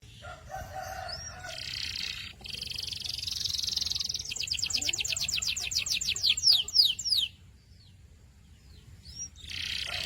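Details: Canary singing: buzzy bands and high notes at first, then a rapid rolling trill of repeated rising notes lasting about three seconds. A short pause follows, then a brief buzzy phrase returns. Faint low background hum throughout.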